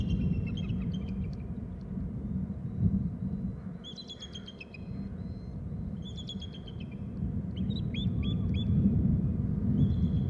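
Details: Two bald eagles calling together at 16:01, giving bursts of high, thin, piping chirps in rapid stuttering series, separated by pauses, over a steady low background rumble.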